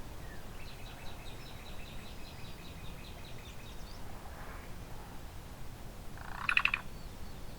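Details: Black-billed cuckoo of unknown sex in Ontario, a few feet away while preening, repeating one call (not its song) every few seconds: a brief, harsh, raspy call after faint rapid high ticking, over steady low outdoor rumble.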